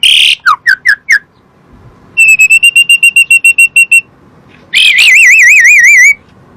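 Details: Asian pied starling song used as a lure for other birds: a few falling whistles, then a fast even train of clipped whistled notes, ending in a long warbling, wavering whistle.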